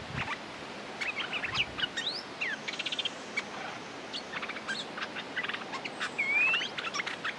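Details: Territorial male streak-eared bulbul, ready to fight, giving quick bright chirps and short whistled slurs, some rising and one long upswept whistle near the end, over a steady hiss of background noise.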